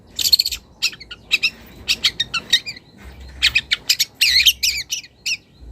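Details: Young wild long-tailed shrike calling a rival and beginning to bring out mimicked phrases: quick bursts of scratchy, high chirps and harsh notes in uneven clusters, densest near the end, with a soft low hum behind.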